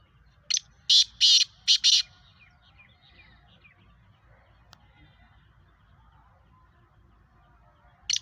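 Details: Black francolin, a captive bird of the Sheedi Nasal breed, giving its harsh grating call of four loud rasping bursts in quick succession, then quiet, with one more rasp at the end.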